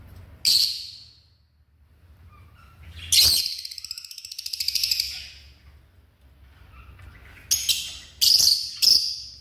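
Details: African lovebirds calling: an isolated shrill shriek, then a longer rasping chatter lasting over a second, followed after a pause by three quick harsh screeches in succession.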